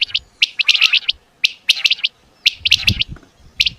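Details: Quail, batair in Urdu, calling as heard in hunting: crisp high notes bunched in rapid twos and threes, phrases recurring about every second, faint low rumbles underneath.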